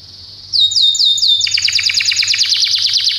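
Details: Belgian canary training song: several clear downward-slurred whistles in series, followed by a rapid rolling trill of repeated notes.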